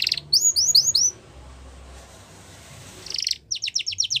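A Yorkshire canary sings bright, high phrases of quick upward-sweeping notes. After a short pause comes a fast rattling trill, then another run of repeated rising whistles.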